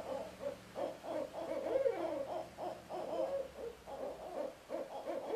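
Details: Barred owl pair as the male hands a mouse to the female, who lowers her posture before he flies away; a run of low, rhythmic hooting and chuckling notes, several per second, with a faint steady hum beneath.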